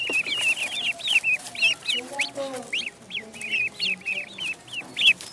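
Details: Ducklings in a pond giving a dense stream of high, thin peeps, short rising-and-falling notes overlapping several times each second from more than one bird, with faint lower murmuring tones in the middle.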